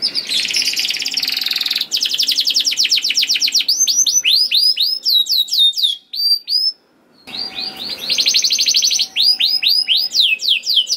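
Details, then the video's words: Canary song as masteran to prompt other canaries to sing: long fast rolls of tightly repeated notes alternate with tumbling whistled sweeps, a short silence near the middle, and faint steady low tones beneath. "VOICE OF CANARY"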